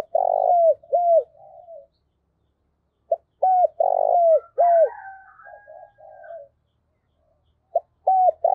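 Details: Dove used as a decoy bird gives short, low, hooked coos in quick pairs, with softer bubbling notes between phrases; the cooing is used to provoke and train other doves.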